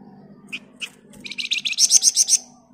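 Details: Flamboyan bird singing a dense ngebren-style song meant as master recording for training other birds: two short high notes, then a fast run of about nine bright buzzy pulses climbing higher in pitch, with a faint low hum.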